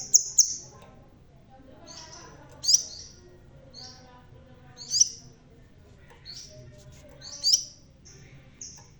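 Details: Red-tailed crimson sunbird, bald yet still singing vigorously: very high, thin, sharp metallic notes in quick clusters, each burst about every two and a half seconds, separated by short high piping whistles; faint low background hum.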